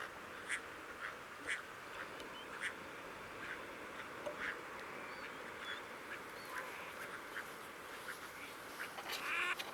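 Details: Crested ducks at the Coyle River estuary, Santa Cruz, Argentine Patagonia, recorded 18 June: spaced short quacks about once a second, then a louder cluster of calls at the end, over continuous low hiss.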